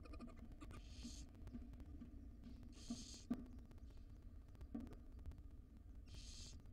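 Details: Wild female barn owl gently feeding her tiny chicks in a monitored nest box; three breathy, hissing bursts of about half a second each, spaced a couple of seconds apart over a low steady hum and soft tapping.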